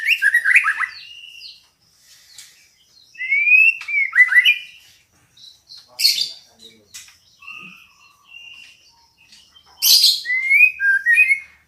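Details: Female white-rumped shama calling to prompt a male's song. Bursts of buzzy, scratchy notes alternate with clear upslurred whistles in three separate phrases, with quiet gaps between them.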